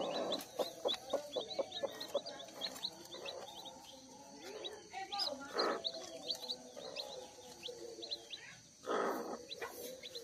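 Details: Newly hatched kampung chicks, one day old, gathered at hatching time on a village-chicken farm: many high, short peeps repeated rapidly and overlapping throughout, with human speech, clattering knocks and a louder voice near the end.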